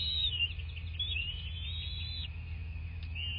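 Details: Bald eagle at a nest in southwest Florida, nest-camera recording from the morning of 26 February 2024; one long, thin wavering whistle that slides down and up for about two seconds, then a short rising note, over constant low rumble.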